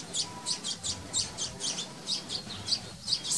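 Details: Common linnet giving a rapid string of high, dry twittering notes, about three per second, with soft rustling background noise; recorded in a garden during spring–summer 2021.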